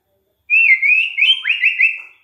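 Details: Lure song of a white-rumped shama meant to make other shamas sing: a long sustained clear whistle that wavers gently, then breaks into rising and falling whistled slurs.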